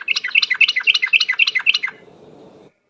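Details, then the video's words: Yellow-vented bulbul lure recording in the rapid 'ropel' style: a fast run of about ten bubbly, chattering notes in under two seconds, then a faint room-like hiss before silence. "suara pikat trucuk ropel..super gacor"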